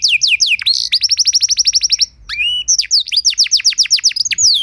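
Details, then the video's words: Canary lure song used for teaching other canaries: quick sweeping whistles, a long even trill of sharp repeated notes, a low sliding note, then fast downslurred phrases. "Lagu Full Istimewa! Masteran dan Pancingan Burung Kenari Biar Punya Lagu Mewah!"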